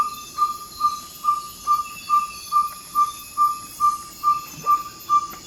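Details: Just before dawn in Ecuador's Amazon rainforest, a ferruginous pygmy owl repeats its advertising call: clear, even 'toop' notes on one pitch, a little more than two per second, very regular, above a steady hum of insects.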